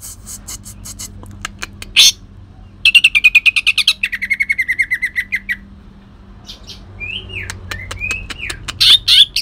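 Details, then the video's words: Leafbird called cucak ijo, Kalimantan type, singing rough shot-like phrases with shrike imitation: scattered sharp clicks, a long fast run of harsh repeated notes, then looping whistles and loud bursts. "cucak ijo kalimantan tembakan kasar"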